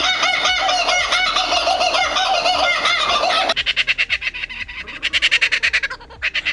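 Kookaburra laughter: a loud, chaotic rolling chorus of chuckling notes, then a burst of rapid, rhythmic hoots about three per second that rises and falls.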